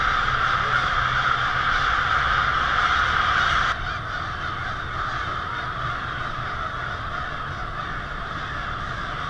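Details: February evening roost of American crows in Lansing, Michigan, 2016, with hundreds or thousands of birds: a loud continuous caw chorus that abruptly drops in volume partway through and continues more softly.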